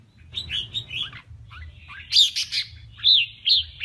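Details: Contest song of a male red-whiskered bulbul, kè kích style for voice training: a run of short whistled notes, then louder ringing, warbled phrases roughly every half second, over a soft low hum.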